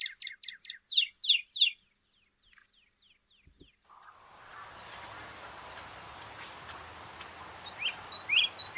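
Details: Northern Cardinal, a winter backyard resident, in spring: a quick run of about eight loud, clear down-slurred whistles, then a break and a steady hiss with faint distant chirps.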